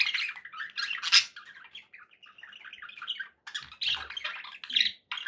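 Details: Budgies described as happy squawk and warble indoors: loud scratchy bursts, a softer stretch of bubbling chatter, then more squawks, with high chirps and a few low thuds.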